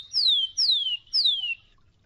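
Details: Rufous-collared sparrow, a champion singer: three clear whistled notes, each slurring down from high to lower pitch, given about every half second and followed by quiet.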